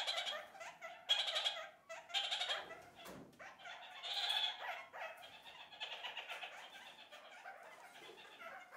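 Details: Flock of kakariki chattering together: dense overlapping squeaky, scratchy chatter and short harsh notes at a rapid pace, rising and falling in bursts, with some louder outbursts; the birds do this several times a day to communicate.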